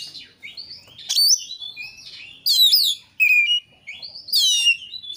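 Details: Oriental magpie-robin (kacer) singing in a recording meant to spur another kacer into song: drawn-out high whistles alternate with loud buzzy, harsh bursts, each about half a second long.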